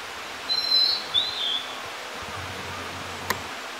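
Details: A Blue-and-white Flycatcher in the summer-bird season in inland northern Harima, Hyogo, Japan, sings two short, clear, high whistled phrases, the second slurring slightly downward, over a soft outdoor hush, with one sharp click afterward.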